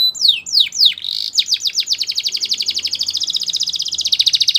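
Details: Russian canary: three swooping whistled notes open the phrase, followed by a long, accelerating series of crisp repeated notes forming a bright trill.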